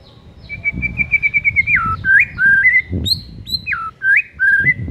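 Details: White-rumped shama in a provoking recording to rouse a lazy bird: a stuttering run of clear whistles, then drooping and rising whistled slurs, with low background rumble.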